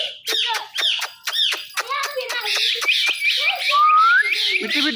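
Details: Talking Indian ringneck parakeet, kept as a pet, saying "Mitthu": a fast run of sharp clicks and short harsh squawks, then bright high chattering notes and a clean rising whistle near the end.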